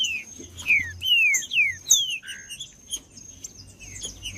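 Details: Green-winged saltator singing to rouse other saltators: four strong downward-sliding whistles in the first two seconds, then softer, scattered notes.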